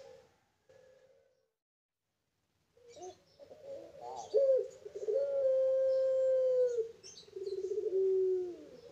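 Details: Captive farm-bred Barbary dove of the pelung type. After a few soft coos and a pause, it gives a rising throaty rolled note, then a long sustained level coo lasting about two seconds, ending in a lower drawn-out, slightly tremulous coo.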